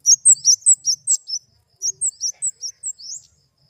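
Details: Flowerpecker (kemade) producing fast strings of sharp, very high twittering notes, two quick bursts with a brief gap between, otherwise quiet.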